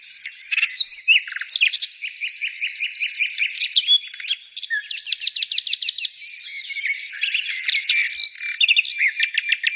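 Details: A lively chorus of singing birds: a repeated series of bright chips, rapid rattling trills and loud whistled swoops overlapping throughout.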